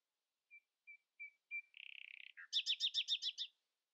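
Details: Common nightingale singing in the early morning, not letting rivals sound louder: four soft separate whistles, a buzzy rattle, then a fast loud series of seven repeated chirping notes; quiet background.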